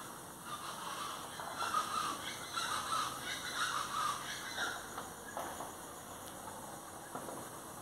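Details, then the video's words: Plain chachalacas (Ortalis vetula) calling with rapid, raspy, chattering notes in quick series during the first half, then fading into steady background hiss. "chachalacas del golfo ( Ortalis vetula)"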